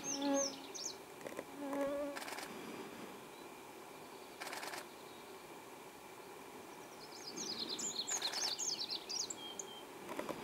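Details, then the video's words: Olive-backed pipit on the Ural ridge, Ural Mountains, Russia, on 2016-06-19, gives thin, very high twittering notes in quick bursts, loudest near the end, over a droning fly buzz and a few sharp clicks. "Sibirisk piplärka - Olive-backed Pipit (Anthus hodgsoni)"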